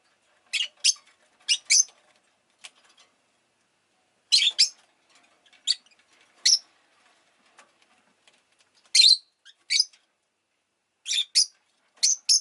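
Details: Harsh, buzzy chirps from a pet rosy-faced lovebird, delivered in irregular pairs and singles spread across the recording with quiet gaps between.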